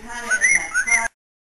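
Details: Whistling from a house bird in Illinois, with two clear, arching whistled notes that swoop up and down in quick succession before the sound stops abruptly.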